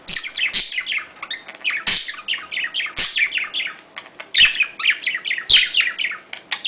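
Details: Domestic budgerigar courtship chatter used to stimulate breeding: steady, busy warbling of fast, high, descending chirps and buzzy notes, broken by sharp clicks about once a second.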